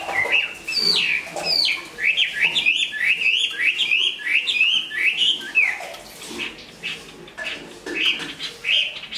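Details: Moulting Chinese hwamei, a large strong singer and fighter, opens with scattered notes, then delivers a fast chain of zigzag whistled slurs for several seconds before dropping to softer, broken phrases against faint background noise.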